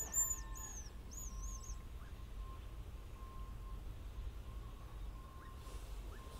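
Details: Hazel grouse: a few very high, thin whistled notes, some wavering up and down, in the first two seconds, then only a steady low rumble of background noise and a faint constant tone.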